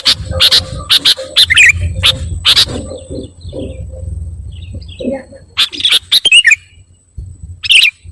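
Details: Noisy kutilang (sooty-headed bulbul) calls, meant to excite other birds: sharp high chirps in bursts at the start and end, with a quieter stretch of faint twitters and low hum between.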